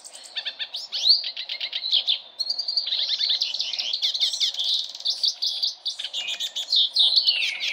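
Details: A hooded siskin sings a long, rambling twitter of high, rapid trills, slurred whistles and brief buzzy notes, running without pause.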